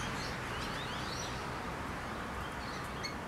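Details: Rainbow lorikeets in backyard trees in the city of Adelaide; thin, high chirps and short squawks come in scattered bursts over a steady low hum of background noise.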